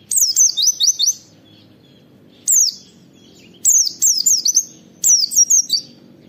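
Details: Oriental white-eye delivering 'wit wit' phrases, used as a master and lure for other white-eyes: fast runs of thin, high, falling whistles in several clusters, with a lone note between them.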